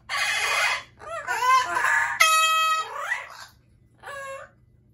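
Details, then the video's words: Indoor pet Amazon parrots calling loudly: a hoarse squawk, twisting warbled notes, a flat horn-like sustained scream, then a descending slurred note and a brief nasal call after a pause. "Loud Parrots | Amazon Parrot"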